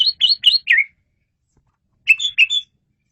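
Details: Asian pied starling singing clearly and loudly, used to lure birds: four quick whistled chirps, the last slurring downward, then after a pause a group of four shorter whistled notes.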